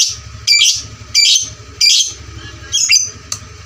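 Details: Loud lovebird lure for training fighter birds: four harsh, high squeaky bursts roughly every 0.7 seconds, the last one broken and ragged, above a constant low hum.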